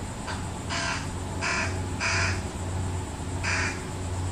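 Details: Fish crows, parents feeding fledglings, a resident family living behind a backyard; a series of short, nasal, buzzy calls given about every half second to second, four clear and one faint, with a constant low hum behind.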